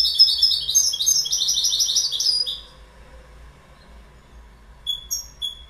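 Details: Goldfinch song: a lively two-second twitter of repeated high tinkling notes, followed by silence and a few thin separate call notes.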